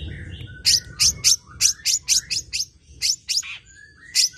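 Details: Tame long-tailed shrike in full song, loud and varied, kept for prompting and tutoring other birds: a series of about thirteen sharp, sweeping chirps, each dropping in pitch, delivered in quick uneven bursts.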